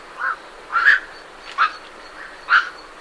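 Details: Four short, rough croaks from night herons leaving their roost, each a clipped harsh quok, over a faint background of great reed warbler song.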